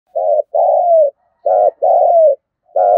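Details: Spotted dove giving a provoking kích bổi coo meant to make doves start cooing fast: low, mellow hooted notes, a short one followed by a longer downslurred coo, repeated twice, otherwise quiet.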